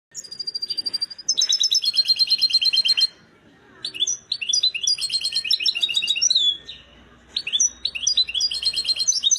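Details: An excited European goldfinch at peak readiness sings bursts of fast, tinkling, metallic twitters and buzzy trills, three long phrases broken by brief pauses, with faint low hum in the background.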